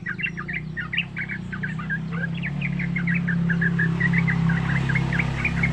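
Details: Wild-style song of a young Yellow-vented bulbul, used to prompt other bulbuls to sing: quick string of chirps repeated steadily, with a loud vehicle engine rumbling underneath.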